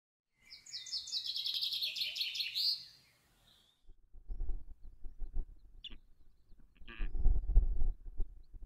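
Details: Osprey at a natural cliff nest about 50 m above the sea in Cabrera Archipelago National Park, Spain, around the female laying her first egg; rapid high whistled chirps for about two seconds, then low wind rumble and faint squeaks.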